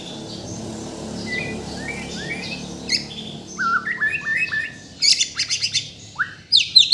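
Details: Caged Bornean white-rumped shama from Kalimantan singing a full varied song: soft high chirps at first, then louder sweeping whistled phrases and sharp bursts of high notes in the second half, with a low background hum.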